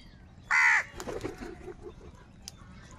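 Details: A single harsh, grating caw lasting under half a second, from one of a large number of crows fighting for food and calling angrily, followed by soft low murmuring sounds and quiet background.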